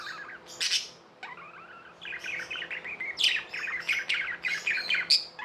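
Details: Tame pet budgerigars chirping: warbling, chattering twitters with short scratchy notes and sharp high clicks, in bursts that run almost without pause.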